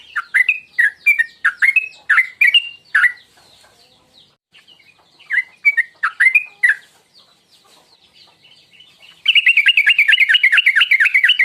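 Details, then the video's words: Sooty-headed bulbul lure call meant to provoke singing, tuklik ngingklong style: loud bubbly chirps in bursts of several notes, a pause, another burst, then a fast dense run of rapid repeated chirps to the end. "Masteran tuklik tuklik ngingklong burung Trucuk"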